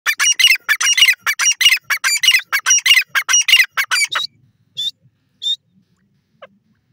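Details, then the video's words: Grey francolins call in a rapid series of loud, harsh, grating notes, then a few spaced squeaky calls as the chorus fades to quiet. "grey francolin birds calling"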